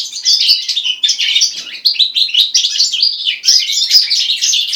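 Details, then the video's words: Song of a goldfinch × linnet hybrid, a rapid run of bright twittering phrases mixing buzzy chirps, quick trills and falling whistled notes, delivered continuously with brief dips in loudness. "HIBRID (carduelis carduelis x carduelis cannabina)"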